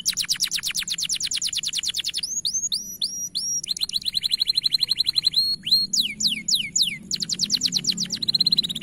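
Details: Canary of bright plumage delivering a strong, sustained training song: very fast rattling trills alternate with rows of downward-sweeping whistles and a flat buzzy trill, all shrill and continuous over a low background hum.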